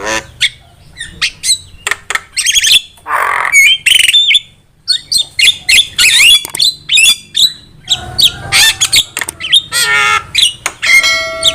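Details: Javan myna in full chattering song, used as a tutor and lure recording. Rapid clicks and grating squawks mix with bursts of harsh noise and short whistled phrases, continuing without pause over the whole stretch.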